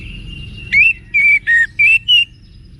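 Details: Wiksar-style orange-headed thrush song for training cage birds to respond: five clear whistled notes, evenly spaced, alternately rising and falling slightly, after a faint steady whistle.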